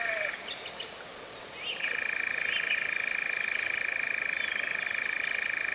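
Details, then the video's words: European Nightjar in Cefn Ddu forestry, North Wales, UK, first of 2026, on a drop-rigged Zoom F3: a brief churr breaks off, a pause with soft bird notes follows, then a long lower-pitched reeling churr resumes. "First Nightjar recording of 2026 in the Cefn Ddu forestry, North Wales, UK"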